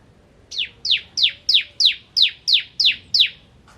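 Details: Bar-winged prinia of the crystal type in vigorous song, used to train white-rumped shamas: nine evenly spaced, sharp, downslurred chirps, roughly three per second, in a clean recording.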